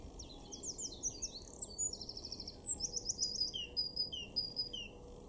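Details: A Eurasian wren in a garden in Weener, East Frisia, northwest Germany, in April 2024, pours out a loud, rapid, high-pitched song of sharp notes and fast rattling trills over a faint background hiss.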